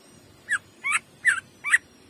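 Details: Greater green leafbird in shooting jamtrok style: four rough, slurred notes dropping in pitch, spaced evenly apart with quiet between them.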